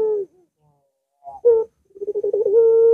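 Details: Domestic puter dove singing, meant to stimulate a reluctant bird: a brief coo, a short sharp note, then a rapid series of pulsed coos flowing into a sustained even tone.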